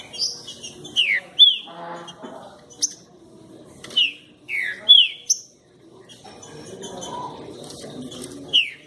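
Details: Green-winged saltator, described as a fierce singer, gives loud whistled slurred phrases, each swooping down from high to lower pitch, in short bursts separated by pauses, with a soft rustling murmur in the gaps.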